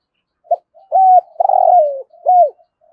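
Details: Thúc gù call of a spotted dove with a rolling thổ rền voice. A short clipped note is followed by a steady coo, a long vibrating note sliding downward and a final arched, falling coo, all low and mellow.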